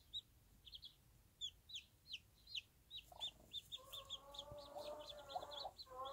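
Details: Bantam hen with one-day-old chicks in a backyard farm setting; high, slightly down-slurred peeps repeat roughly every half second, joined midway by a lower, harmonic, drawn-out murmuring sound beneath the chicks.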